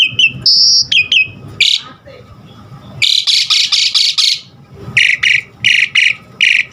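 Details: Asian pied starling singing with mixed fill-in phrases, played to make caged starlings sing: short whistles and a long steady whistle, then a fast burst of harsh grating notes and a regular series of rasping squawks.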